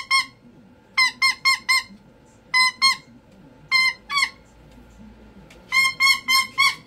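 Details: Cockatoo kept as a pet, mid-meltdown: piercing harmonic screeches fired in rapid runs of two to four, pausing briefly between runs, in a small room.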